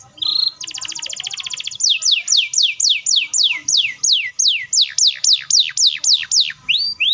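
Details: Canary in full song delivering a long, fast, tight roll meant to provoke young and silent canaries into answering: a buzzy high trill, then a steady run of loud descending whistled sweeps, roughly four per second.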